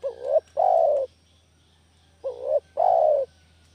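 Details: Spotted dove call played to lure doves: two clear phrases just over two seconds apart. Each is a short quavering rising syllable and then a sustained, mellow, downward-sloping coo, over a quiet background.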